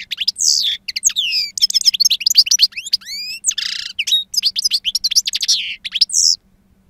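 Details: Continuous wild-style song from a two-year-old European goldfinch with potent timbre and long calls: tinkling trills, rising slurred whistles and rasping buzzes in quick succession, ending abruptly.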